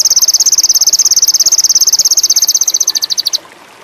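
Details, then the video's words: Lure song of the sogon indigo, or ruby-cheeked sunbird, aimed at birds with a high mating urge: a rapid, metallic high trill, evenly pulsed, ending cleanly after a slight slowing. "PANCINGAN SOGON INDIGO"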